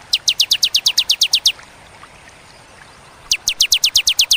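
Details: Bar-winged prinia song in the sharp, clear "tembakan" style with pauses: a fast burst of about eleven high downslurred notes, a short silence, then seven more identical notes, on a faint hiss background.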